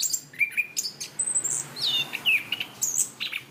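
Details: Caged Chestnut-capped thrush, known locally as punglor kembang, singing steadily on a training recording. Fast, high-pitched phrases run without pause: slurred whistles, sharp chips and short rising and falling notes over a soft low hum.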